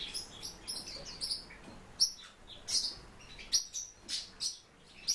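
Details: Kept warbling white-eye giving sharp, very high chirps and short tweets, loud and spaced irregularly at roughly two or three per second, with the background otherwise quiet.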